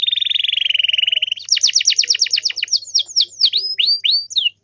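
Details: Canary song played as a master recording to make other canaries answer: a long steady trilled note, then a fast run of rising sweeps and several slurred downward whistles, all high-pitched and clean.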